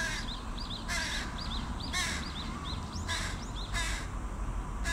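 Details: Young carrion crows, as big as their parents, beg from their mother with harsh, rasping calls roughly once a second, while a small bird chirps high and thin over a steady low rumble.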